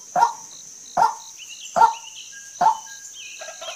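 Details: Female white-breasted waterhen giving four harsh croaking notes about 0.8 seconds apart, quieter than before, followed by other birds' thin whistles and chatter over a high insect drone.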